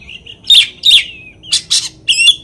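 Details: Oriental magpie-robin lure song meant to anger other magpie-robins: short, harsh, buzzy notes interspersed with brief whistled fragments.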